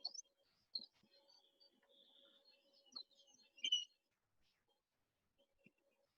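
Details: A Rufous-naped Lark in grassland around Satara, central Kruger National Park, gives its distinctive call: clear, high whistled notes and short slurred phrases over a few seconds, with a faint steady low hum underneath.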